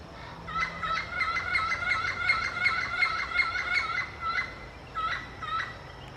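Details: Yellow-fronted parrot calling to communicate with its peers: a fast run of short, paired two-toned squawking notes repeated several times a second, then broken into separate bursts toward the end, over faint low background rumble.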